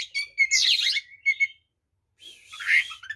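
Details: Provocation song of a white-rumped shama used to rile other shamas: a rich burst of slurred whistles and harsh chattering notes, a silent gap, then a buzzy, scratchy phrase.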